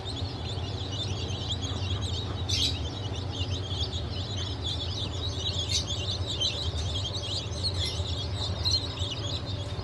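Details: Newly hatched chickens of Blue, Light Brahma, Wyandotte, Sebright and Legbar breeds, hatch of 7 July 2023; a crowd of thin high peeps chatters continuously behind a loud steady low machine hum.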